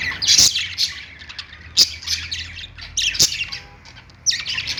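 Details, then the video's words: Caged budgies on a perch give bursts of high squeaky chatter roughly every second or so, separated by quieter gaps, with a few sharp clicks and a low background hum. "budgies sounds | love birds sounds | budgies singing on perch"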